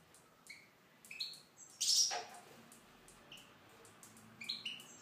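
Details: Tunisian goldfinch in an aviary: sparse high tweets and chirps, a sudden loud harsh rasp in the middle, then more twittering notes toward the end.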